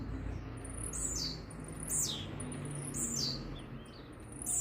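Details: Fast-singing blue-black grassquit answering another bird: short high descending slurred notes roughly every second, set against a constant low hum and broad background noise.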